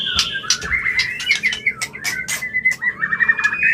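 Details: White-rumped shama mating call used to condition a bird for breeding: clear sustained whistles gliding up and down, interrupted by sharp clicking bursts, closing with a fast trilled phrase.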